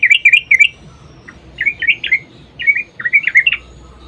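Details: Sooty-headed bulbul song used as a lure for making bulbuls sing; short tumbling whistled phrases of three or four notes, separated by brief pauses.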